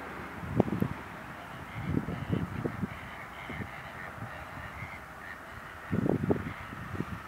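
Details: Greater flamingos at Larnaca salt lake, Cyprus, recorded between 31 October and 1 November 2014: low, gabbling, grunting bursts in short clusters over a steady background hiss.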